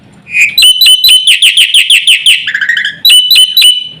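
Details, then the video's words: Black-winged myna song used as a lure to set other mynas calling: loud, clear whistled notes with a repeated rapid series of bright, slightly buzzy chirps, then a lower slurred phrase and more whistles. "suara jalak putih gacor full isian sekali pancing semua burung jalak ribut gacor"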